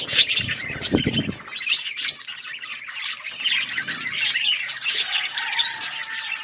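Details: Budgerigar flock feeding on seeds, keeping up a steady stream of warbled, squeaky chirps and chatter; a short low rustle near the start, then continuous high twittering.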